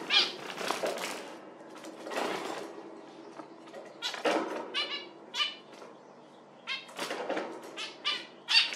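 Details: Zebra finches calling busily with many short nasal, buzzy notes, some overlapping, mixed with scuffling and flapping noises in a small room.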